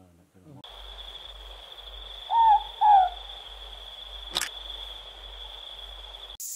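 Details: A morepork, a small dark brown owl named for its call, recorded in New Zealand in 2019, gives its two-note soft hooted 'more-pork', the second note dropping slightly. A steady high insect-like whine runs underneath, with one sharp click.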